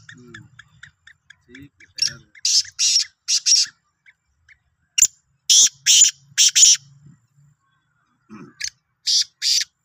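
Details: Sindhi black francolin recorded 16 March 2023, giving three phrases of harsh, grating notes, four or five rasping bursts each, separated by pauses of over a second, with faint low murmurs early on.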